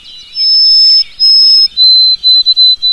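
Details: White-throated sparrow singing in spring, its song rendered as "où es-tu Frédéric?": a long pure whistle, a second slightly lower held whistle, then a run of short, evenly repeated whistled notes on one lower pitch. Brief soft chatter precedes it.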